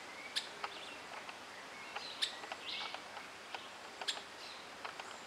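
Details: Streaked flycatcher in a garden: short sharp high calls spaced about every two seconds over a steady background hiss, with faint chirps between.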